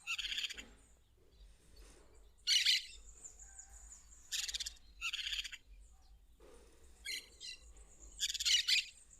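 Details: In the wild, a plain parakeet repeats harsh, scratchy screeches in about six separate bursts over nine seconds, some doubled, with a thin steady high whine running through the background.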